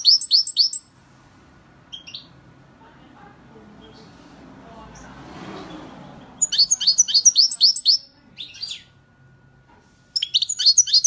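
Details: Singing European goldfinch giving rapid bursts of high, tinkling twitters and buzzy chirps, then a long quiet stretch with soft background noise before further liquid twittering runs resume near the middle and end.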